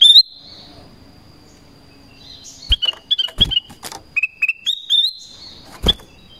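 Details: Vigorous Black-crested bulbul calling for wild birds: an opening whistle, a quiet gap, then a busy string of short piping notes alternating between two pitches, with a couple of dull knocks.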